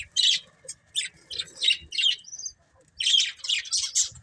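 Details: Budgerigars chirping in short separate bursts of scratchy, high chatter about every half second, then a longer run of overlapping warbles after a brief silence.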